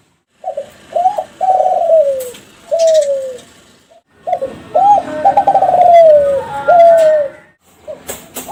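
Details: Captive young Kelantan zebra dove of champion breeding, cooing as a lure for other doves. Two full phrases, each an upward-hooked note, then quick trembling coos drawn into long notes that slide downward at the end, with light clicks between.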